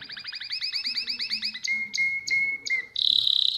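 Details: Domestic canary tutor song for teaching young birds to sing: fast repeated buzzy trill notes, then a steady pure whistled tone broken by clicks, ending in a high rattling buzz.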